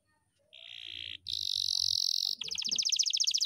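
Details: Canary singing a long roll: a dense buzzy trill held steady, then jumping to a higher, louder buzzing band, then breaking into rapid pulsed notes repeated several times a second, with soft low rumbles underneath.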